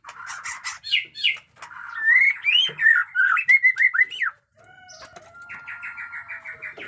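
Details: White-rumped shama in new plumage, a combative singer, delivering a rich varied song of harsh bursts, then loud looping whistles at a quick pace, followed by a long flat whistle and softer high chatter.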